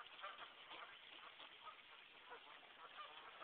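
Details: Geese on a brook in West Concord, Massachusetts, honking through a snowstorm in January 2009; dense overlapping nasal honks from several birds, continuous for the whole few seconds.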